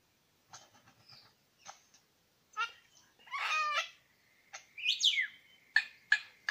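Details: Mixed song of a male superb lyrebird, one of two at Lookout Point, New England National Park: faint chips, then a buzzy stacked rattle, a swooping whistle and sharp clicking notes.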